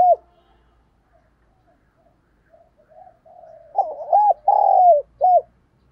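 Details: Caged spotted dove used as a decoy, cooing daily to lure wild doves: after near silence, soft murmurs build into loud, low hollow coos with arched, rising-falling notes near the end.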